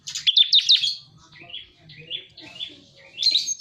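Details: Bar-winged prinia call used as a lure: three loud, sharp chirps at the start, then softer, lower-pitched slurred notes repeated in the middle, and a bright burst of high chirps at the end.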